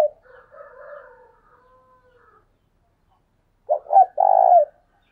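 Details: Spotted dove decoy bird calling hard: after faint, scattered murmuring sounds, one coo phrase is given, with two short clipped notes followed by a longer, purring, buzzy note at low-mid pitch.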